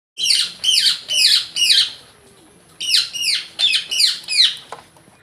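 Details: Pet Indian ringneck (rose-ringed) parakeet, indoors in the afternoon, saying "mitthu mummy": harsh, squawky spoken syllables in two bursts of four, each falling in pitch, with a short pause between the bursts.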